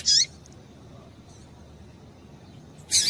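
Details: Calls of a female double-collared seedeater, meant to excite males. Two brief, bright, high chirps, one at the start and one near the end, with a quiet gap and faint low background hum between them.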